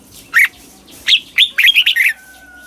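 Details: Slow, clear doubled song of a Red-whiskered bulbul from Thailand, southern master style, played for young birds to imitate: one lively phrase of about six sharp whistled notes, followed by a faint steady tone.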